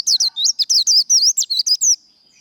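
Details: Japanese white-eye's líu fighting song, sung to fire up the bird: a two-second rush of about a dozen high, zigzagging whistled notes, then quiet.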